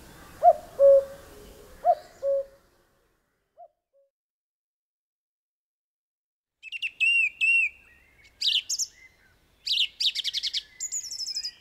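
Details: Male song thrush singing loud, clear whistled and chirping phrases, each repeated two or three times in quick succession, part of its dawn-chorus song; two deep two-note cuckoo calls come first.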